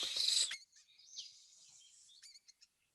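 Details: A Bald Eagle, heard in a Michigan spring-migration lesson, gives thin, high, squeaky notes: a piping whistle that trails off, then a few quick chips, more giggle than the screech often used on TV.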